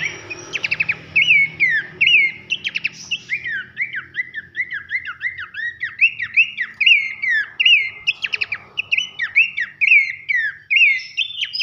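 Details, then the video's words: Training recording of Abbott's babbler with loud whistled song: rattling trills at the start, then a steady series of bright downslurred whistles repeated about once per second, with occasional rapid trill bursts woven in. "masteran nembak nyiul keras khas pelanduk semak"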